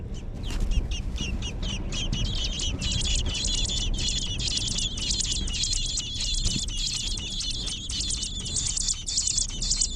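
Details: Nestlings begging in a hog barn nest as their mother feeds them: a continuous high, buzzy, rapid chorus of chirps that builds after a few scattered notes, under a constant low mechanical hum.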